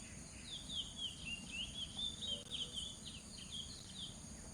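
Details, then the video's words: A northern seedeater (coleiro do norte) feeding on seeds sings a fast, continuous twittering of high, sliding chirps, about four notes a second, over a steady insect hiss and low rumble. "Coleiro do norte na sementes"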